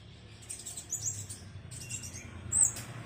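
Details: Tame, spotted-plumaged black sunbird practising its song, actively calling: a few very high, thin chirps and short twittering bursts scattered over three seconds, with a low background hum throughout.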